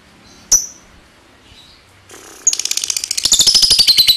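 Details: Lovebird whose ngekek trill is used to draw other lovebirds into trilling: one sharp high chip, a quiet gap and a brief noisy burst, then a fast, shrill rattling trill rising in strength.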